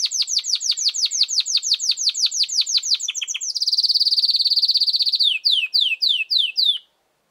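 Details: A canary sings loudly: a rapid, steady series of sweeping descending notes, then a dense, rattling high trill, and finally slower downslurred notes before abrupt silence.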